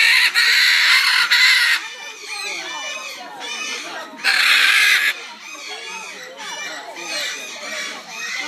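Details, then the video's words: A macaw gives two long, harsh, raspy screeches about three seconds apart, with softer chattering and squeaky notes between them. "macaw`s singing"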